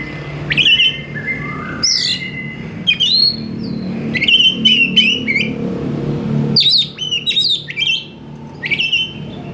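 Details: Oriental magpie-robin singing a busy "gacor" song of whistled slurs and high swooping notes in repeated bursts, over a steady low rumble like traffic or an engine.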